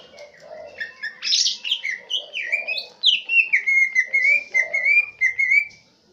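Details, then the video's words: Central Aceh green leafbird performing swiftlet mimicry: a strong, high sweeping note, then a descending cascade of chirps and a series of level whistled notes repeated in close rhythm. "Cucak ijo isian walet"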